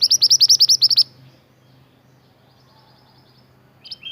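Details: Pied bushchat, native to Indonesia, in full song used as a model for caged songbirds: a loud one-second rattle of about a dozen rapid, bright, high notes, then near silence and a final soft phrase.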